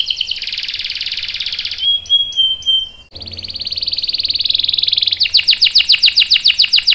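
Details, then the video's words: Canary singing a long roll as a lure for other canaries: a buzzy trill, a few pure whistled notes, a rising smooth trill, then a loud rapid rattling series of sharp notes. "PANCINGAN KENARI GACOR CUIT CUIT bikin NYAUT ikutan BUNYI Ngerol panjang | CANARY SINGING"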